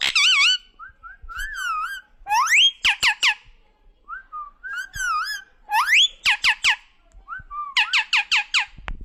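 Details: Pet talking parrot whistling indoors: wavering, sliding whistled phrases mixed with quick bursts of sharp, clipped notes, repeated in loose runs over nine seconds.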